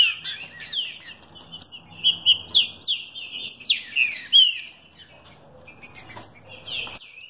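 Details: A captive-bred mutation green-winged saltator sings loud, rich whistled phrases, with quick slurred notes rising and falling in bursts over about five seconds and a faint low hum behind.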